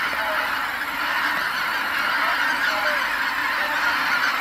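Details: At sunset at Kabukuri-numa marsh, huge flocks of geese returning from their feeding grounds fill the marsh with calls, a steady roar of countless honks layered densely together.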